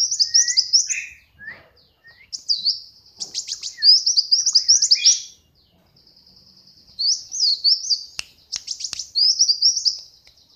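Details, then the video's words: Pet brown-throated sunbird, tame and raised from a young age, in full song: bursts of quick, sharp, high-pitched twittering phrases separated by short pauses, with a couple of faint clicks. "Kolibri Wulung Jinak Gacor"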